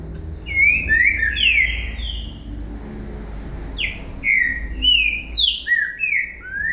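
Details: Boca mole com virada song of a green-winged saltator, used for song teaching: two phrases of clear, swooping whistled notes, each several notes long, with a pause between them and low background rumble.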